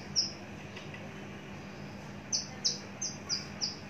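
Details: A mature, long-kept caged Javan bush lark sings one high sharp note, pauses, then gives a quick run of five high, clipped notes.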